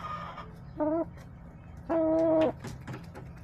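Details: Backyard chickens on a homestead, recorded March 30, 2024, with hens clucking and roosters crowing: two drawn-out, harmonic, nasal notes, a short one followed by a longer steady one, over a low background hum.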